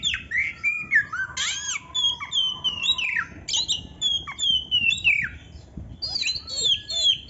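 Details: Oriental magpie-robin song with canary imitations: long sliding whistles, some dropping low, mixed with sharp high chirps and abrupt downward notes in an irregular, rambling sequence.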